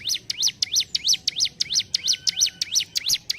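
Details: Ciblek gunung, a mountain prinia, in full gacor ngentrok song: about eleven shrill zigzag notes in quick, even succession, each swooping down and back up, with a faint steady whine beneath.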